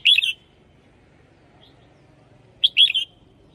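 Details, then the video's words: Red-whiskered bulbul decoy bird: a short cluster of bright, slurred whistled notes, a long quiet gap, then a second similar cluster. "เสียงนกกรงหัวจุก เพราะๆ"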